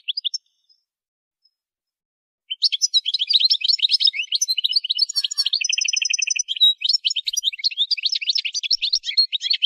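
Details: Goldfinch song for song training: a few notes, a pause, then a sustained rush of twittering with an inserted buzzy, metallic trill partway through.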